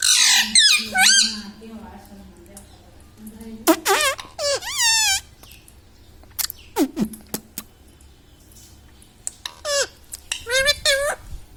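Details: Household talking parrot repeating words like "Mummy" and "Papa": scattered bursts of harmonic, wavering voice-like syllables with silent pauses between them and a low background hum.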